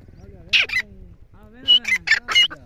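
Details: Grey francolin giving harsh, ringing call notes in short bursts around a second apart, with human laughter and low voices underneath.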